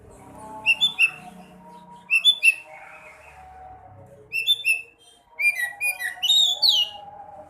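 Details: Sekoci song meant to prompt a caged bird to sing again: short bursts of high chirping notes in groups of three or four, separated by pauses, ending in louder sweeping whistled phrases.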